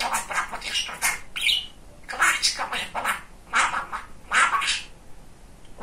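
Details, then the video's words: Chatty pet male budgerigar talking indoors, mixing fast squeaky mimicked words with sharp squawks in uneven bursts separated by short gaps. "Самый Разговорчивый Волнистый Попугайчик"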